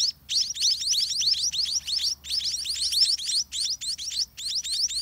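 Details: Scaly-breasted munia (Lonchura punctulata) chick, well grown and hungry in a dirty nest, begs as parents feed all day: rapid, thin, high rising squeaks in dense bursts with brief pauses, over a faint low hum.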